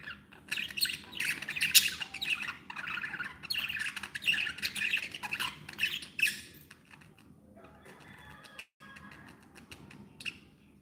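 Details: Happy pet budgerigars producing busy overlapping squawks and chirps for about six seconds, then the chatter thins to softer, sparser calls with a short silent gap near the end.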